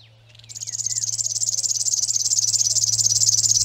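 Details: A river warbler singing at Zvārde, Latvia: a high, dry, insect-like buzzing song, a fast rhythmic pulsing that runs on without pause, with faint whistles from another bird at the start.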